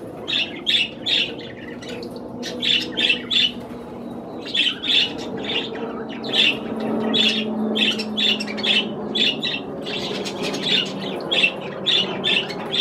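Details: Budgerigars kept as pets, feeding on cherry tomatoes, repeat short high chirping phrases in rhythmic clusters of two or three notes, over a low steady indoor hum.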